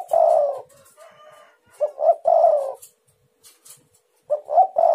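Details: Spotted dove luring call for provoking other doves; long coo at the start, then two short coos and a drawn-out coo, another phrase starting near the end, quiet gap in between.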